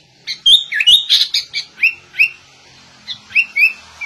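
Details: Sooty-headed bulbul singing in a style imitating the white-rumped shama: a burst of bright whistled and slurred notes, then short rising whistles repeated at intervals, with quiet pauses between phrases.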